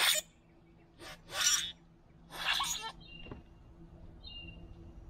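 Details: Three boat-tailed grackles feeding together at a backyard feeder trade harsh, noisy rasping calls in three loud bursts. A couple of brief, thin whistled notes follow, over a low steady hum.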